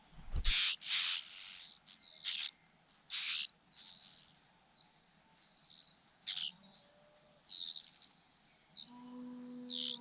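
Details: Fujian niltava nestlings begging during feeding by their mother: loud, continuous, high-pitched wheezy squeals in long overlapping bursts, with a short low tone near the end.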